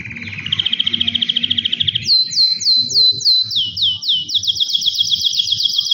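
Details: Caged two-year-old male canary, well trained in singing and singing when his owner approaches, gives a fast, rolling trill, then a run of bright, repeated downslurred whistles about a third of a second apart.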